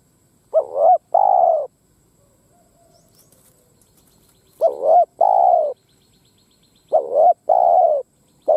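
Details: Spotted dove decoy bird cooing to provoke wild doves into fighting: three coo phrases, each a short double-note opening then a long low hoarse coo, separated by pauses of a few seconds in quiet surroundings.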